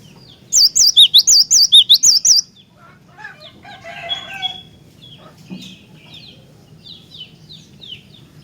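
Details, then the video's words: A cinereous tit sings vigorously as a lure to set other tits singing, opening with about eight loud wavering whistles in fast pairs, then falling quiet while scattered chirps and a brief low clucking murmur follow. "Jika Glatik Batu Anda Di Pancing Dengan Kicauan Glatik Batu Gacor Ini"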